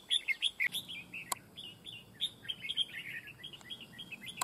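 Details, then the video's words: Red-whiskered bulbul at a fight trap in Vietnam, singing a rapid, continuous run of chirpy, up-and-down whistled notes, loud at first and then steady, with a couple of sharp clicks. "bẫy đấu chào mào"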